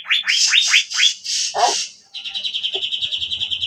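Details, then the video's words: Asian fairy-bluebird singing: bright rising whistled notes in quick series and a short harsh note, then a rapid pulsing high trill repeated about three times per second. "SAUTAN CUCAK BIRU YANG DAHSYAT"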